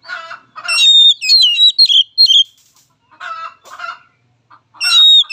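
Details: Oriental magpie-robin (kacer) lure song (pancingan) of young and untrained birds, played to build another bird's confidence: loud, varied whistled phrases with rapid pitch jumps, interleaved with harsh buzzy chatter and brief pauses.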